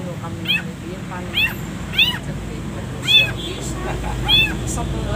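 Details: Long-tailed shrike used as a training recording for caged birds, singing with pauses: five rasping, arching harmonic notes spaced about a second apart against a constant low rumble.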